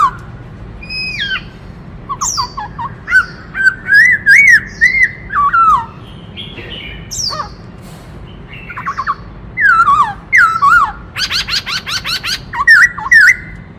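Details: Black-throated laughingthrush singing while dancing, its song switching among many voices: clear whistled phrases that slur up and down, mixed with rapid sharp high sweeping notes and dense chattering bursts, over a steady low background hum.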